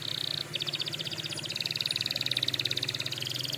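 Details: Canary song meant for training canaries: a short flat high whistle, then dense, pulsing trilled rolls held for several seconds, slightly softer, over a low background hum.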